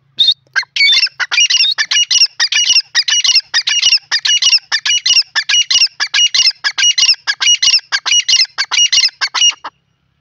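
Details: Grey francolin, the teetar of India, calling loudly: a fast run of harsh, squeaky, metallic notes repeated more than once a second for about nine seconds, with nothing else heard.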